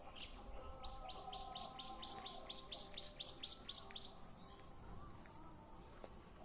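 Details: Village greenery in Assam, India: a bird gives a rapid, regular series of sharp high chirps for about three seconds, then stops, leaving soft low whistles and a constant hissing background.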